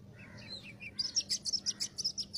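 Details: Oriental magpie-robin lure song for trapping: a few soft descending whistles, then a fast series of about ten sharp, high repeated notes in an even rhythm.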